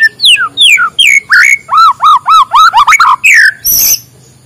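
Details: White-rumped shama singing in the morning, used to prompt reluctant birds to sing: rapid varied phrases of falling whistles, then a run of repeated arched notes, quick trills, and a harsh burst before silence.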